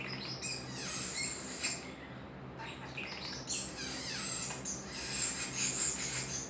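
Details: Captive pet common starling vocalizing for its own amusement, a run of rapid varied chirps, downslurred whistles and very high thin squeals, coming in uneven bursts with a short pause midway.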